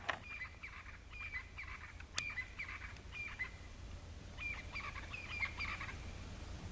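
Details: At sunset on a game reserve in South Africa's Lowveld, crested francolins chatter to each other in harsh, scratchy bursts that come in quick clusters for about six seconds, over a steady low hum and one sharp click.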